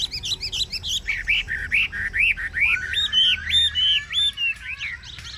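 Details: Caged Chinese hwamei delivering ngũ trường style song: high rapid notes, then a series of arched whistles repeated roughly every half second, shifting into looping warbled phrases, with a low hum underneath.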